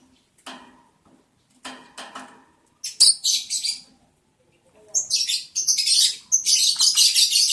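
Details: Lovebirds mating during the breeding season, day 11 of breeding, July 11, 2022: a few dull knocks and rustles, then bursts of piercing, scratchy chirps that turn into a rapid, continuous chatter toward the end.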